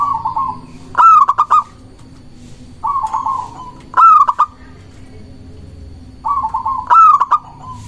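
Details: Local zebra dove song for luring and provoking rivals, three phrases about every three seconds, each a soft purring coo leading into a loud stuttered burst of short hard notes; faint steady hum in the background.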